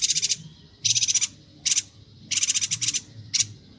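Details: Bornean yuhina singing energetically, recorded for training other songbirds: dry, buzzy chattering bursts of rapid ticking notes, five in under four seconds, separated by short pauses.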